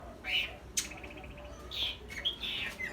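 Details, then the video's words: Long-tailed shrike singing often: a few short harsh, scratchy notes spaced irregularly over three seconds, with a sharp click near the start and a quiet low background hum. "Cendet rajin bunyi"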